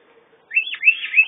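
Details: Canary singing a short warbled phrase of rapid, high, fluid trills and slurred notes, starting abruptly after half a second of quiet.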